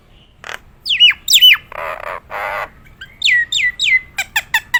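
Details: Nias hill myna in a competition-style performance: sharp falling whistles, two broad harsh rasping notes, then three descending whistled notes and a quick run of clicks.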